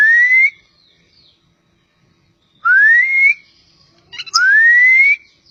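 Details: Oriental magpie-robin, poci type from Java, giving three drawn-out pure whistles, each rising steadily in pitch, separated by long silent pauses.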